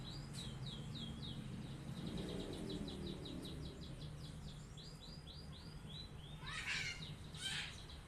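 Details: Canary singing a long rolling song, used to encourage other birds to sing. Quick faint series of high repeated notes change pattern several times, amid constant low noise and a couple of brief noisy bursts near the end.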